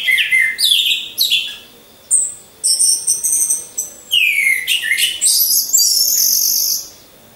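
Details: Orange-headed thrush, a caged bird hung in a row with others for training and used as a lure song, gives a varied run of high whistled phrases, buzzy trills and rising slurs in bursts with short pauses.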